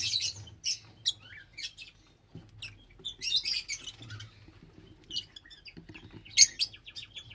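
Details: Loud, piercing lovebird chirps in quick clusters, the high squeaky notes tumbling over one another with short gaps between bursts, over a light low-pitched background hum.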